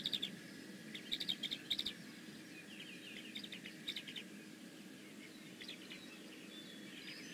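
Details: Bald eagle at the Decorah North nest on 15 May 2017: two bursts of sharp, high chirped notes in quick runs, then a few scattered softer chirps, over a steady thin hum and low rumbling background.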